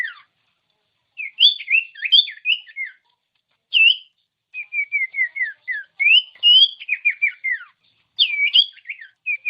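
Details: Song of a common iora, used to goad lazy ioras to sing: varied bursts of sharp whistled and warbled notes separated by short gaps, including a quick series of small descending whistles in the middle.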